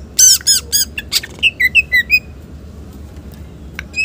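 Green leafbird opening with harsh, squeaky chatter, then five clear, slurred whistles in quick succession and one more high whistle at the end.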